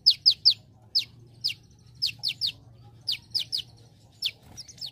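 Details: Olive-backed sunbird, energetic training recording with celilin-style fill: repeated sharp, high, downward-slurred chips in loose bursts of one to three notes, about every half second to second, over a steady low hum.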